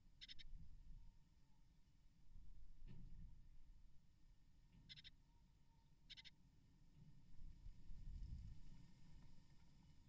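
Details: Great tit (Parus major) at the nest while feeding nestlings and removing the eggshell of a newly hatched chick: quiet, raspy high bursts in brief clusters, several seconds apart, over low rumbling background noise.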